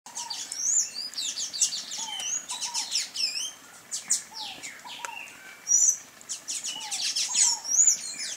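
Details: Sayaca tanager (Thraupis sayaca), wild and free, gives thin, squeaky, high chips and twittering notes in quick overlapping bursts, with a few lower downslurred whistles from another bird.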